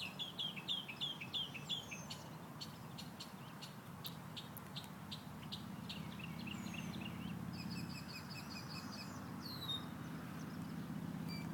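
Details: Morning bird chirping in Central Florida: a quick run of high repeated chirps, then sharp clicks and a buzzy trilled phrase, over a rumbling low background noise.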